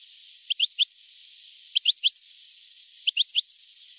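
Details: European goldfinch, old recording from 1982–1990: three short bursts of three or four quick twittering chirps, each followed by a faint high note, spaced about every one and a half seconds against a constant hiss.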